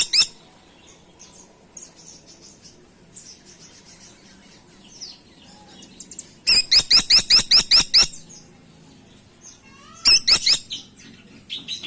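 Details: Grey-and-buff Woodpecker (caladi tikotok) calling: a fast run of about eight sharp, high, squeaky notes, then a shorter burst of three after a pause, over soft background chirping.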